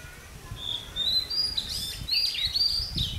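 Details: Red-whiskered bulbul singing as a decoy bird at a trap set to lure wild birds: warbled, whistled phrases rising and falling in quick succession, with short pauses between bursts, over faint outdoor background noise.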